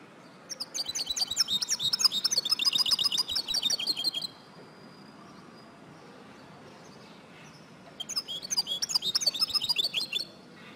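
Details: Female European goldfinch calling, used to stimulate male goldfinches to sing and become active: two bursts of rapid, high, tinkling twitter notes, roughly four seconds and three seconds long, separated by a quiet pause of about four seconds.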